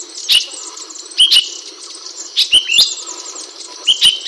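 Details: Ashy bulbul (Hemixos flavala, brinji kelabu) recorded as a master bird: short bright chirps in pairs and small clusters, about four bursts over a few seconds, with sharp clicks and a steady high hiss behind.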